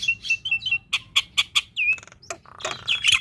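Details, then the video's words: Varied Black-winged myna chatter in full song: buzzy clicks and sharp notes, a downward-swooping whistle, then a harsh rasping stretch ending in bright squeaky calls. "Jalak Putih Gacor Full Isian - Masteran Dan Pancingan Burung Jalak Muda Dan Jalak Malas Bunyi"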